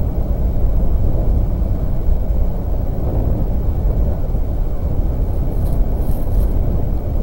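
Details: Steady low rumble like wind or a passing engine fills the recording, with a few faint high hisses near the end and no animal calls.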